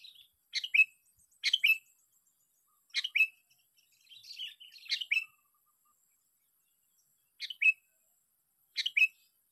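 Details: Sooty-headed bulbul, caught by luring, repeats short two-note bubbling phrases every second or two, with a brief softer twitter mid-sequence.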